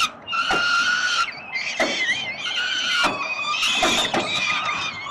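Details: Begging peregrine falcon nestlings in Melbourne, Australia, fed by their father on 30 October 2021: piercing harmonic squeals in three or four drawn-out bursts, interrupted by short clicking sounds.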